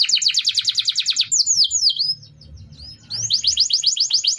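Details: Canary song used as a training recording for other birds: fast buzzy trills alternate with sweeping downslurred whistles, pausing briefly before a rapid rising-falling trill resumes; faint low hum underneath.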